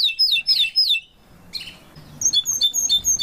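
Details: Canary from a family group of parents and chick, giving quick paired descending whistled notes, a short pause with a soft burst, then a thin high tinkling series of repeated notes.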